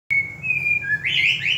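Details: White-rumped shama of the Ranong local type, Thailand, singing: a long steady whistled note, then a brief lower note and a quick rising, warbling phrase, over a faint low hum.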